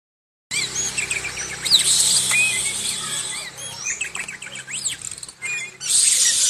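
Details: A moulting oriental magpie-robin, kept as a cage bird, still singing strongly: a run of high, fast, varied whistles and trills, with bright hissy notes at the start and end, over a faint low hum.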